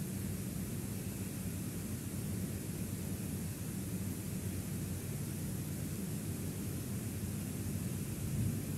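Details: Even broadband rushing noise, like wind on a microphone, continues without any animal sound.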